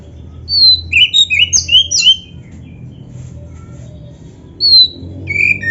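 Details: Kacer, oriental magpie-robin, giving a string of short sliding whistles and squeaky notes in a quick cluster, then a lone whistle after a pause, with a low background hum.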